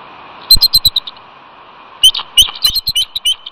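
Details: Mates exchanging calls at a bald eagle nest on Catalina, California, on a cold February day as the female relieves the startled incubating male. A brief high chitter, a pause, then a louder run of piping notes.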